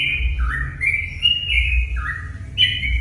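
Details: Short sooty-headed bulbul phrase used to provoke other bulbuls into singing: a few sliding whistled notes, dipping low then rising and holding, a fresh note at the end, with low background rumble.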